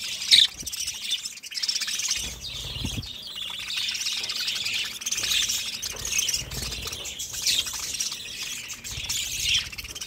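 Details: Budgies keep up a steady warbling chatter of high chirps and twitters over about ten seconds, with occasional soft thuds beneath the flock noise.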